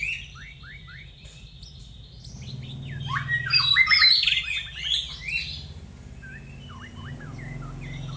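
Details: Young white-rumped shama in training, singing a sequence of quick slurred whistles that builds into a loud, crowded burst of harsh and sweet notes, then thins to scattered downslurs; low rumbling hum throughout.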